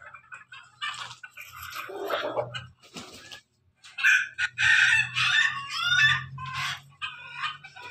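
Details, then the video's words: Pelung and Ketawa chickens heard together: softer broken calls first, then from the fourth second a strong series of rapid, rippling crow syllables over a low hum. "ayam pelung ayam ketawa bersama"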